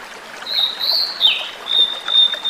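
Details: Flute-like whistling of a wild Blue-and-white Flycatcher: a sustained high whistle with a brief downward dip partway through, then a long steady pure tone trailing off, with faint background hiss.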